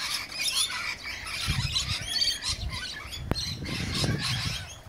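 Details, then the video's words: Rainbow lorikeets feeding before the cockatoos arrive chatter with shrill, screechy chirps in an overlapping jumble, alongside low thumps, handling noise and one sharp click. "Rainbow Lorikeets.. Getting a feed"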